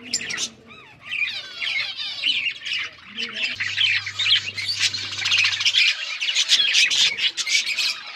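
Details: Budgies breeding in a colony: a few clear rising and falling whistled notes open, then many birds join in busy scratchy chatter and squawks, with a brief low hum in the middle.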